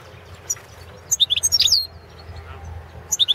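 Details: Balkan goldfinch, carduelis balcanica, in a competition entry for a world championship of goldfinch song held from Serbia; a fast run of sharp, liquid twitters with a twisting whistle, then a short new phrase starting after a pause.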